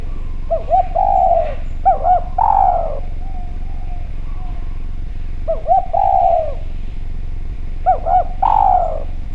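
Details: Spotted dove, Javanese type, calling actively in a clear voice, used as a lure to make other doves call: three mellow cooing phrases, each two short hooked coos then a longer descending coo, with a steady low hum behind.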